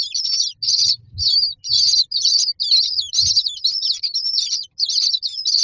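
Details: Nest-box common myna chicks lined up waiting to be fed give loud, harsh, high rasping begging calls in bursts of about half a second, roughly two per second, with a few soft low knocks.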